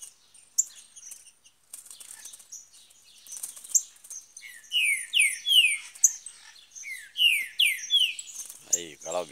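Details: Green-winged saltator in the woods, with a cage nearby: scattered high chips give way to a loud run of rich, descending slurred whistles repeated rapidly, ending with a brief low human voice.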